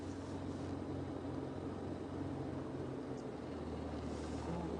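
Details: A quiet, steady engine drone with low humming tones and faint background hiss continues throughout; no animal sounds stand out.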